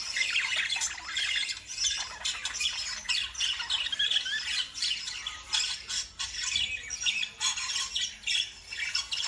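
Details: Several lovebirds chatter at once, a harsh, buzzy mass of high squawks pulsing in short surges, continuous across the whole stretch.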